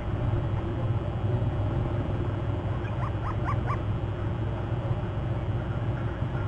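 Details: Bald eagle calling during a fly-by at its nest territory on Hornby Island on March 11. A quick run of four high, arched, whistled notes with a piping tone, over steady low rumbling background noise.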